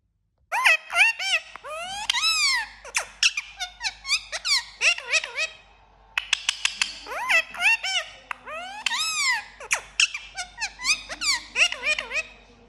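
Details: Parrot talking in bursts of squeaky, speech-like syllables with swooping pitch, sharp clicks and whistly inflections, pausing briefly around six seconds before another burst of chatter; faint low hum underneath.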